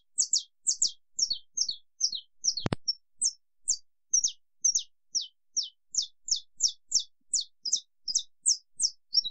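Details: Saffron finch (canário-da-terra) with an estalo-style long song: a fast, unbroken stream of high, steeply falling notes for over nine seconds, briefly interrupted by a single loud click near the middle.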